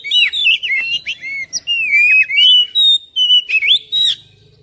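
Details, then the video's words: Oriental magpie-robin song meant to make a reluctant bird sing: a fast, continuous string of loud whistles, sweeping slurs and scratchy chips in quick succession, trailing off at the end. "KICAUAN KACER"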